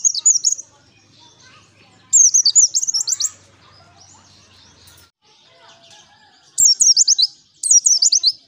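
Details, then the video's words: Lure recording of a vigorous pleci (white-eye) in ngalas style: high-pitched, fast chattering trill bursts of about a second, repeated after short gaps, with faint low murmurs between phrases. "Pancingan PLECI GACOR Ngalas N3mbak"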